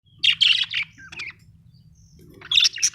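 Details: Pet budgerigars kept at home, giving bursts of harsh, scratchy chirps and warbles in two clusters separated by a quieter gap with a soft whistle, over a low steady background hum.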